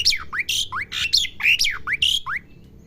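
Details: Asian pied starling, a young bird learning its song, gives a quick mix of upward-slurred whistles and scratchy squawk bursts, about eight notes in under three seconds, then falls silent.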